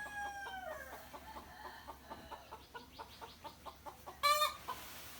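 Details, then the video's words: Morning farmyard sound of rooster and hens: a crow tail opens, then a steady run of short clucks about five per second, ending in a sudden loud squawk. "the sound of birds and roosters crowing each other in the morning"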